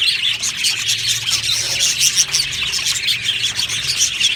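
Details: Colony of budgies in an aviary chattering nonstop, high rapid chirps and warbles blending into a busy wall of sound, with several sharp whistled pips and a faint low hum underneath.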